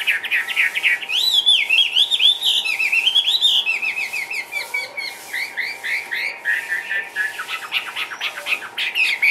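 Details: Caged Chinese hwamei singing in the style called ngũ trường while hopping about: a long run of loud, varied whistled phrases, warbling up and down, with rapid slurred notes and a faint steady hum behind.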